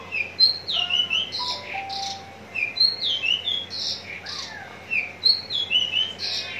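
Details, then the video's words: Javan bush lark prepared for contests in Tangerang, giving lively mixed phrases of high downslurred whistles and buzzy notes with a few lower flat whistles, repeated in uneven groups. "branjangan parva joss siap gantang"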